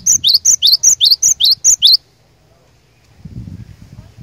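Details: Glatik batu singing hard to draw out opponents: nine rapid ringing two-part notes in quick succession, then silence with a soft low rumble.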